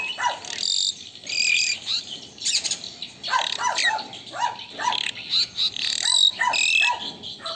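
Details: Asian pied starling in lively full song, used as a master tutor recording: a busy stream of harsh, rasping, buzzy bursts mixed with short downslurred notes and brief whistles, delivered in quick irregular phrases with short pauses.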